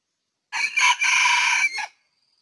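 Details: Red junglefowl decoy bird used for trapping, early season, Ninh Thuận, Vietnam, 2019: one loud, harsh crow of about one and a half seconds in three broken segments, the last a short, dropping note, then quiet.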